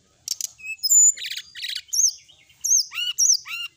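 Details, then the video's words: Lively song of a sooty-headed bulbul in full varied form: buzzy chattering bursts alternate with bright whistled phrases, several sharply upswept notes repeated near the end. "srdc gacor full isian ,masteran srdc malam hari dan terapi srdc"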